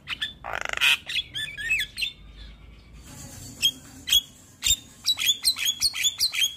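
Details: Javan myna, a white-eyed champion songbird, in a full-fill-in tutoring recording meant for morning play. A harsh rasping burst gives way to short whistled notes, then sharp chirps repeated in a quick, uneven series.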